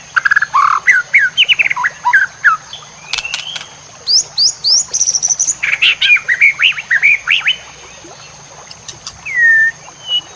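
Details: White-rumped shama song used as masteran tutor recording for training competition birds: varied clear whistled phrases, slurred notes near the start, then a run of high rising whistles and quick chirpy notes, ending with a drawn-out downslurred whistle.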